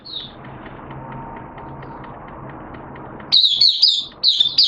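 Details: White-eye kept as a hobby bird, 11 September 2022, wet erratic weather; a single high chirp, three seconds of quiet background hum, then two quick bursts of high twittering warble.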